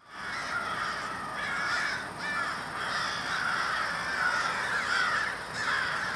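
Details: A murder of crows in Minneapolis, Minnesota, on February 20, 2020: many harsh, hoarse caws overlap into a noisy chorus. Separate strident calls rise above the din every second or so.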